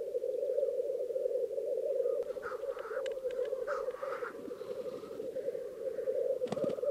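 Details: Displaying black grouse at a lek in Krasny Bor, females attending, during the most intense phase of lekking: continuous low bubbling chorus with scattered short hissing and clicking notes over it, plus a sharp burst near the end.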